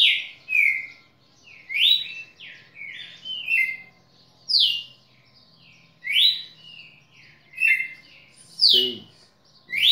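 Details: Tutor red-cowled cardinal in full song: bright whistled notes alternating between rising sweeps and level slurs, spaced under a second apart, with one brief low rustle near the end.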